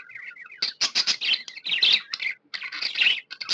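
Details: Happy pet budgie chirping: a soft opening warble, then lively bursts of high, scratchy chirps and twittering notes, broken by brief pauses, in a quiet room.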